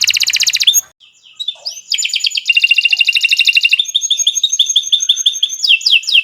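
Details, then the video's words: Canary song played to make birds start singing: a fast trill, a pause, scattered chirps, a rolling dense trill, then a string of repeated bright notes and falling whistles. "Kicau Burung Kenari 151 II LUAR BIASA GACOR PANJANG Cocok untuk Masteran"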